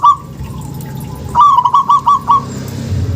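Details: Local zebra dove, used as a lure to prompt lazy or silent doves to call, giving a quick run of about seven staccato, bubbling coos at a steady mid pitch after a brief opening tone, over a low background hum.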